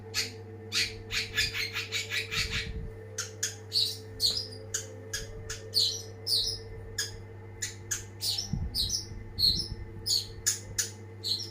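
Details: Long-tailed shrike singing a fast series of sharp clipped notes, opening with a rapid run, then spaced high chirps with buzzy squawks, over a steady low hum.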